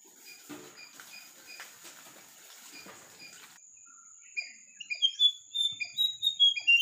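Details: White-browed fantail, locally called bema sudu pawan penda. After a stretch of soft pattering noise, a lively run of high, thin whistled notes rises and falls, delivered quickly in succession against a steady faint high hiss.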